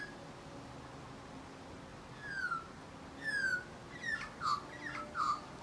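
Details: An Australian magpie sings in spring: short, fluted, descending whistles with rich harmonics, several notes in quick succession after a quiet start.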